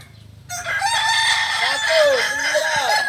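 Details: Kokok Balenggek rooster at a joint crowing practice in Ampang Kualo, Solok city, West Sumatra: a long multi-note crow in stepped, wavering arcs, sustained loudly for over two seconds after a quiet start.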